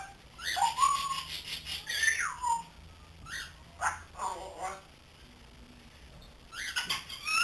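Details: Three-month-old grey parrot, kept as a pet indoors, learning to talk: short whistled notes that glide up and down, mixed with babbling, speech-like sounds and brief pauses.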